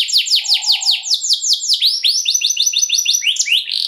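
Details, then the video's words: Canary in the luxury song style, sung as a lure for other canaries: a quick string of high downslurred notes repeated several times a second, shifting into a steadier rapid rattle of clipped, bright notes with no other sounds. "KENARI LAGU MEWAH DURASI PANJANG, SEKALI DENGAR SUARANYA LANGSUNG NYAMBAR"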